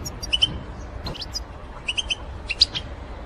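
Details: Goldfinch batbata lure recording for trapping: sparse sharp twittering chirps in small groups of two or three, separated by brief pauses, against a continuous low background hum.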